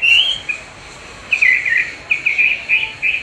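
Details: Chinese hwamei song during playback training with its own voice: a loud whistled phrase, a pause, then a run of short warbled notes repeated roughly every quarter second.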